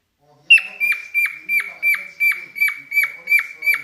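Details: Pet cockatiel singing in mating mood: a sharp whistled note that slides down, repeated about three times a second after a short silence, with faint low murmurs beneath.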